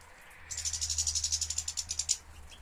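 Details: Captive European goldfinch from a breeder's collection of European finches, recorded 2013: a fast, dry, rattling trill of about twenty evenly spaced high pulses lasting over a second and a half, over a steady low hum.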